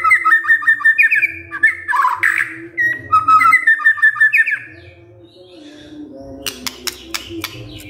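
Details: White-rumped shama, silent at first, replying to a lure recording with fast chattering whistled phrases and a harsh burst, then falling quiet while a few sharp ticking clicks sound over a low hum.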